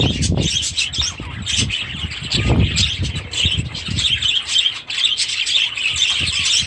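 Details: Several aviary budgerigars, with young chicks, twitter and warble continuously in high chirping phrases, accompanied by occasional wingbeats and low bumps.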